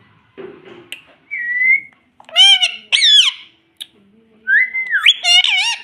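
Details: Pet parrot indoors, taught to say mitthu and mummy, gives high, nasal speech-like phrases with harmonic, bending syllables, a steady clear whistle, and short pauses between bursts.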